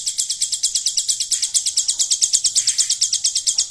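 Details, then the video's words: Golden grasshopper imitation in a hill prinia's song: loud, high, crisp buzzy notes repeated at a steady pace of a little over two per second, clean with no other clear sounds. "ciblek gunung isian belalang emas"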